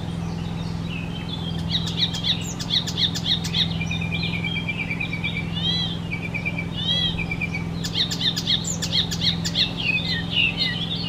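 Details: Icterine warbler, a mimic of other birds' songs, delivering a rapid, varied stream of chattering notes and clicks interspersed with clear rising-falling whistles and a short high trill, over a constant low background hum.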